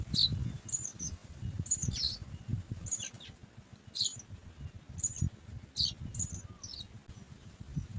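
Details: Three house sparrow nestlings waiting in the nest to be fed, uttering short, very high squeaky cheeps in an irregular series about every second, over faint low background rumble.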